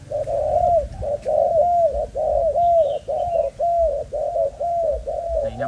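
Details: Spotted dove of the Malaysian type, held as breeding stock in captivity, cooing steadily. Arched coos run almost back to back for several seconds, overlapping in places, and faint chirps sound in the distance.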